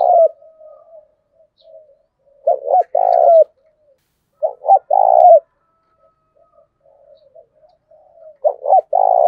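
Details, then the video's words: Spotted dove coo used for luring and training: three evenly spaced phrases, each a quick double coo followed by a longer burry note, with faint low murmurs between. "Tiếng cu gáy thúc bổi, tiếng gáy để anh em tập bổi"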